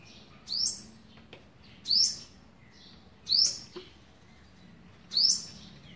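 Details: Olive-backed sunbird feeding its young, day eleven, 27 November 2019: four bright, high, rising chips spaced about one and a half seconds apart, with faint clicks and soft taps in between.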